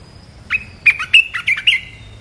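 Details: Red-whiskered bulbul lure recording of a dominant territorial bird, giving a quick burst of five or six bright, chattering, slightly buzzy notes over about a second, with a faint steady hiss behind.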